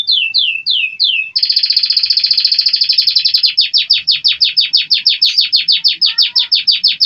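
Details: American Singer canary delivering a loud, rich song: a few downslurred notes, then a fast sustained rolling trill of repeated notes, slowing slightly toward the end.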